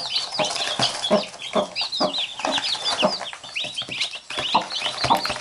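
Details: Mother hen surrounded by chicks that bite her as she picks at them. Regular low clucks about twice a second beneath shrill overlapping chick peeps and pecking taps.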